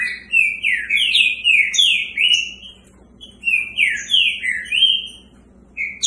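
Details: Green-winged saltator (Saltator similis) song from a caged bird, described as fast: loud, rich whistled phrases sliding up and down in quick runs with brief pauses, over a faint low hum.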